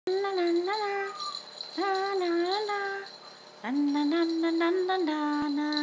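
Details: Pet male pink and grey galah, one and a half years old, kept indoors in a small room. Loud, tonal, wavering calls rise and then level off in three drawn-out phrases, the last one long and sustained.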